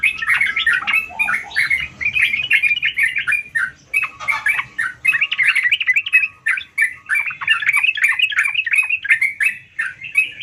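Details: Continuous, rich chattering of a sooty-headed bulbul in gacor song: dense overlapping chirps and slurred notes run almost without pause for ten seconds. Faint low noise sits beneath the song.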